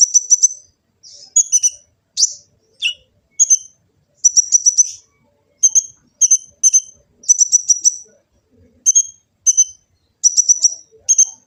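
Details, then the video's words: Sunbird known as kolibri ninja, recorded by phone in Gresik, East Java, as a lure and master song; clusters of two to four very high sharp chips separated by short silences, repeated steadily. "Kicau burung kolibri ninja full isian"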